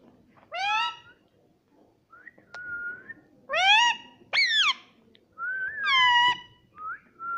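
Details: Talking pet rose-ringed parakeet: buzzy, strongly harmonic squawks that rise or fall, interleaved with soft level whistles. A person speaks nearby in English.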